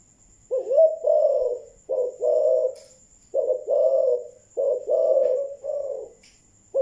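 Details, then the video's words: Malaysian-type spotted dove in thúc gù cooing style, delivering five low, hollow coo phrases, each a quick rising note followed by a longer rolling coo, spaced about a second apart, with a faint steady high hum behind. "Malaysia thúc gù"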